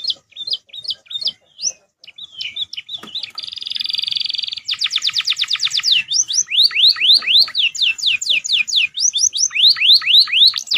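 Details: Canary master song combined with fill phrases of ashy tailorbird and crystal ciblek: high sharp chips, a steady buzzy trill, then a fast rattling series and rhythmic repeated downslurred whistles.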